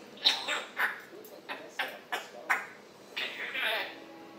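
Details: Indoor African grey parrot morning chatter from July 26, 2021: a rapid series of short clicky, speech-like syllables about every half second, ending in a longer rough squawk.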